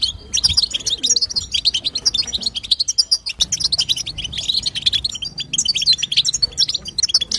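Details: Female European goldfinch chatter, a 'batbata' meant to prompt a male goldfinch to sing: dense, rapid high twittering with buzzy trills and sharp chirps, nearly continuous, with a short pause near three seconds and faint low hum beneath.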